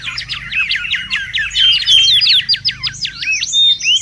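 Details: Wild mangrove whistler in a loud, busy song used as a lure and tutor recording: rapid chattering runs of sharp looping notes with bright, clear whistled slurs woven through, delivered almost without pause.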